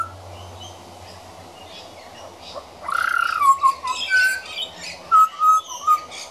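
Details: Young pied butcherbird, a regular visitor, practising its song: after a quiet start, a loud rich fluting phrase that falls in steps, followed by several clear whistled notes at varied pitches, with busy high twittering behind.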